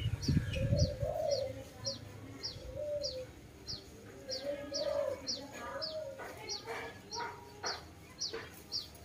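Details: Dove cooing in low, rolling phrases. A high, sharp chirp from another bird repeats about twice a second throughout, and low thumps sound at the start.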